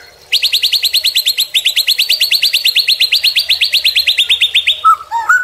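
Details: Murai batu (white-rumped shama) tutor and lure song: a long, fast, evenly spaced trill of bright notes lasting over four seconds, with a short pause early on, ending in low, soft whistles.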